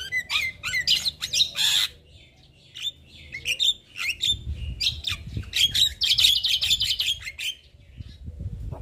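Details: Javan myna (jalak kebo), a raw bird, in constant chatter: harsh rasps and clicks, then a fast buzzy trill of repeated notes around six to seven seconds.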